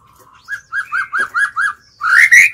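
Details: Lure White-rumped shama singing to call in rivals: a row of six rounded, evenly spaced whistled notes, then a loud, rising, bright whistle at the end.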